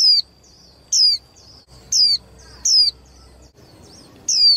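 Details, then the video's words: Young female white-eye calling to stir males into singing: short, high, thin descending notes, about five in under five seconds, with a faint steady high hum throughout. "KHUYÊN MÁI TƠ - Kích Trống Líu Đấu Sung Hơn Mỗi Trận"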